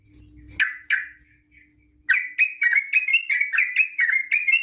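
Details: Sooty-headed bulbul in long fast 'ropel' song meant to lure other bulbuls to sing: two loud slurred chirps, a pause, then a quick unbroken run of bubbly, rising-and-falling notes.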